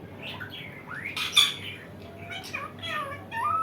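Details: Pet Indian ringneck parakeet giving a run of harsh squawks and rising, curved whistled notes, with a few loud bursts and brief noisy scrapes, in a quiet indoor setting with low background hum.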